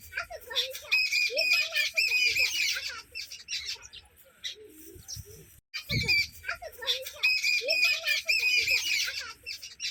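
A group of sparrows chirps busily, with overlapping sharp chips and squawky notes around three to five kilohertz, piling up in dense bursts with a brief lull midway.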